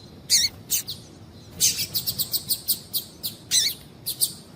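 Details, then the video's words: Female double-collared seedeater giving calls to stimulate the male: a few loud buzzy high notes, then a quick run of about eight short chirps and more scattered buzzy notes. "Piado de fêmea de Coleiro Chamando Quente para Esquentar Coleiro tui tui"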